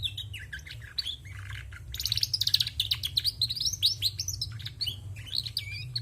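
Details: Lively twittering from a female canary: fast, continuous high chirps, slurred whistles and rattling trills that swell in the middle and keep going to the end, with a low background hum.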